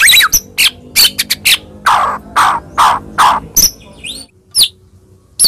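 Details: Lure recording meant to rouse a quiet, caged murai into agitated singing: loud, varied bursts of chirps and descending slurred notes at an irregular pace, with a short pause and then a few sharp upslurred whistles.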